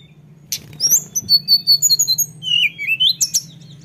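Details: Lesser shortwing singing a rolling phrase: an initial sharp note, then a run of high, evenly paced thin whistles and a rising slurred note, ending in crisp chips, over a low steady hum.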